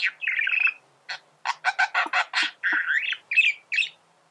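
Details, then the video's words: Male budgerigar song: a buzzy chattering opening, then a quick run of sharp, separate chip notes, ending in short squeaky warbled phrases. "فيديو ممتع لتغريد ذكر بادجي"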